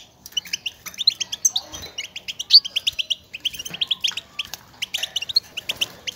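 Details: Goldfinch motivating chatter, the call birds give to each other in the wild: lively runs of crisp, high chirps, rapid and somewhat irregular, with one sharp accented note in the middle and short gaps between runs.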